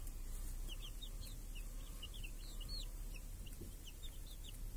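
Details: Summer-day village chickens, chicks feeding beneath a cage that shields them from crows and hawks; fairly quiet high peeps repeat steadily from several chicks, partly masked by broad outdoor noise and low rumble.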